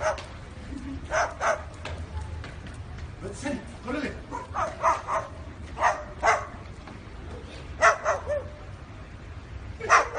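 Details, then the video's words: Parrot imitating a dog: short hoarse bark-like bursts, single or in pairs, spaced irregularly every second or so, with a low background hum. "Parrot making dog sound"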